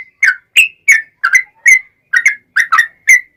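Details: Lure song of a yellow-vented bulbul in the long rapid-fire ropel panjang style: punchy, gurgling whistled notes in a quick uneven rhythm, some paired closely together, over a clean quiet background.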